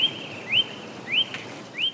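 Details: Common blackbird (Turdus merula) giving thin, rising whistled notes that level off, about one every half-second, four in all, over a soft outdoor hiss.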